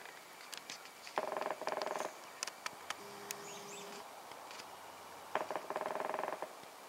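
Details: A Northern Flicker, hidden on an old tree, drums in rapid rolls of about a second each, with scattered sharp taps between, and calls before flying away. A faint high bird note and a low engine hum are also heard.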